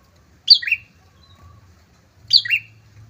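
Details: Prinia pair singing loudly to lure rivals: just two short phrases, each a sharp high note dropping into a lower slurred chirp, about two seconds apart, with a faint low hum beneath.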